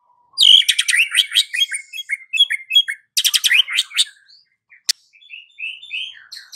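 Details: Afternoon white-rumped shama song meant to spur a quiet bird to sing: dense bursts of varied whistled and chattered notes, then sparser sliding whistles after a single sharp click.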